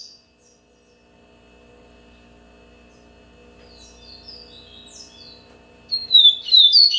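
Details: Seedeater, Yellow-bellied, first heard as soft, distant high twittering notes over a low hum, then breaking into a loud, quick, sweet warbled phrase near the end.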